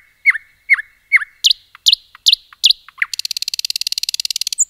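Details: Common nightingale singing in a forest: three evenly spaced downslurred whistles, a few sharper higher notes, then a fast mechanical buzzy rattle ending with a high note.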